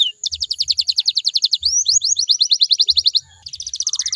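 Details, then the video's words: Domestic canary singing a lure song meant to prompt other canaries to answer: rapid rolling trills of high, clipped notes, a brief rising slur midway, then more fast trills, with soft low thumps in the background. "DI JAMIN KENARIMU BAKAL IKUT NYAUT KALO DENGERIN SUARA INI"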